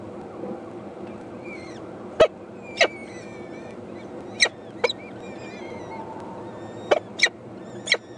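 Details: Hungry peregrine falcon chicks, four eyases in the nest, begging from their mother with sharp rasping screams at irregular intervals, some in quick pairs, over a steady background hiss.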